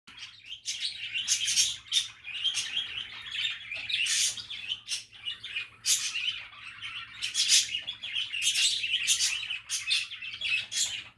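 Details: Budgerigars chattering, a happy and relaxing stream of dense, scratchy warbles and high chirps with sharp clicking bursts, near continuous throughout, over a faint low hum.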